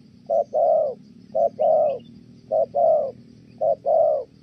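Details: 'Thổ' style cooing of a spotted dove from Kon Tum, recorded for trapping. Four evenly spaced pairs of hollow notes, each a brief hoot then a drawn-out, gently falling one.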